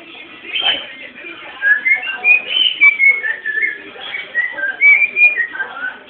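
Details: Cockatiel bred by its keeper delivers a running whistled song, with gliding notes that climb and dip in quick, uneven phrases and barely pause.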